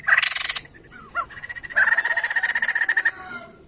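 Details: A white-crested laughingthrush sings to encourage other songbirds to sing. A harsh burst and a few softer notes lead into a loud, steady, rapidly pulsed rattling chatter that fades at the end.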